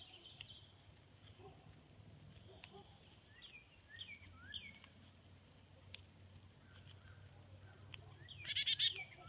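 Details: Young northern cardinals in the nest during feeding: a steady stream of thin, high-pitched peeps with sharp clicks, some lower slurred notes, and a brief rougher burst near the end.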